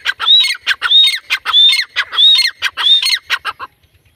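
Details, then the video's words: Female grey francolin giving a loud, harsh, repeated call, each note ending in a rising whistled squeal, about one every half-second, then stopping. "Grey francoline | Teetar Ki Awaaz | Female teetar sound"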